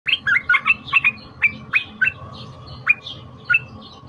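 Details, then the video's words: Cream-vented bulbul, a wild-caught lure bird, giving a loud, emotional fighter song used for tutoring other birds: about a dozen sharp, bright chirps in quick clusters, then spaced single notes, over a steady low hum. "Suara Merbah Lekir Pikat Gacor Fighter Emosi Tinggi Suara Lantang Cocok untuk masteran"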